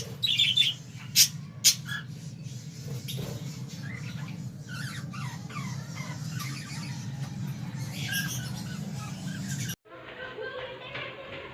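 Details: Budgerigars in an aviary colony chirp and squawk in sharp, high bursts over a steady low mechanical hum.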